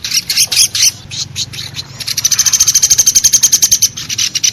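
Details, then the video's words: Velvet-fronted nuthatch (pelatuk besi) lure sound used to attract birds for trapping: a few loose high chirps, then a fast, even series of sharp high notes, about four per second, rising in intensity. "Suara pikat burung pelatuk Besi ampuh"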